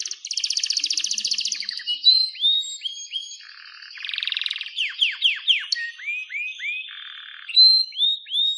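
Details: Pet canary giving a rich varied song: an opening rapid trill, rising whistled notes, a buzzy roll, then a series of sharply falling whistled slurs repeated about twice a second.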